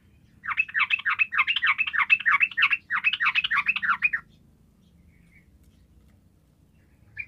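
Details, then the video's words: Yellow-vented bulbul singing vigorously as a lure for silent bulbuls: a steady rapid stream of harsh, chattering notes in three linked runs lasting nearly four seconds, then near silence with one faint final note. "TRUCUKAN GACOR ampuh memancing trucukan bisu langsung nyaut"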